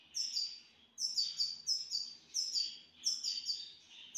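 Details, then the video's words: Grey-headed goldfinch, a pet in the city of Istaravshan, repeating a bright, tinkling phrase of stacked high chirps roughly once a second, each phrase a quick cluster of metallic twitters. "Мой седоголовый щегол город Истаравшан"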